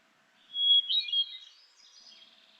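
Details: Hermit thrush song played at normal speed: a single clear whistled phrase opening on a steady pure note, then breaking into quick higher fluttering tones that fade away, with no other sounds.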